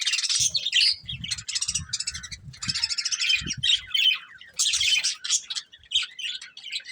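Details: A breeding pair of caged budgerigars chirping: dense, scratchy warbled chatter high in pitch, in bursts separated by short gaps, with a few faint low knocks underneath.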